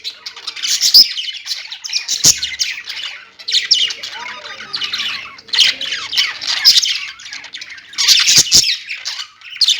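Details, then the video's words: Pet budgies give loud rasping squawks and chirpy warbles in clustered bursts about every second or two, separated by short quieter gaps, with a few sharp clicking knocks. "parakeet chirping sounds| budgie sounds"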